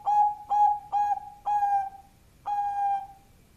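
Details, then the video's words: Zebra dove, Bangkok type, giving a powerful lure call: five ringing hollow coos, the first four quickly in series, the last after a pause and drawn out longer. "pancingan perkutut bangkok suara power"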